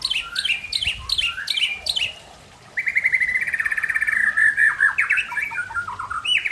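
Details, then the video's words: White-rumped shama of the Aceh type singing in a relaxed afternoon session: a burst of sharp, descending chirps, a brief pause, then a long, rapid, buzzy trill followed by varied whistled phrases that jump up and down in pitch. "Murai Aceh"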